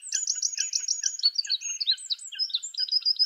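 A Eurasian Wren pours out a loud, rapid, high-pitched song: a fast run of identical trilled notes followed by a jumble of sharp, tumbling twitters.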